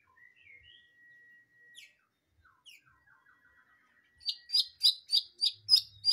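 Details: White-rumped shama in full song: thin whistled notes and a long steady tone, then a burst of loud repeated sharp chirps at the end.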